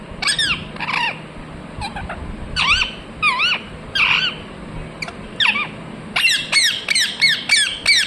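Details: Parrot talking "mithu mithu": bold, harsh, bouncing syllables in pairs and groups, ending in a fast run of about eight rapid notes, with a soft hum behind.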